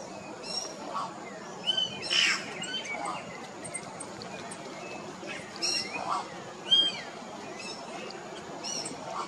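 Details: Sparse calling by a Yellow-rumped cacique on Comandatuba Island in Bahia, Brazil, 2020: scattered clear whistled notes and scratchy squawks separated by pauses of several seconds, over a soft hiss.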